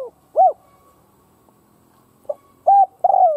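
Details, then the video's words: A decoy spotted dove cooing to incite rival doves. The clip opens at the end of one phrase with an arched coo. After a pause, a new phrase starts: a soft note, a level coo, and a long falling coo. "Cu mồi gáy kích bổi chuẩn / Chim cu gáy kích bổi nghe là gáy"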